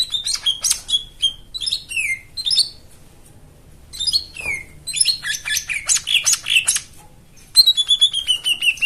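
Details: Song of a white-eye, played as a lure to get birds that have stopped singing to sing again: bursts of fast, high, sweet twittering and descending whistles broken by short pauses.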